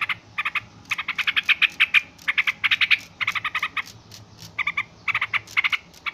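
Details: Yellow-vented bulbul chattering noisily: clipped, bright chirps fired in rapid groups of three to eight, broken by short silences.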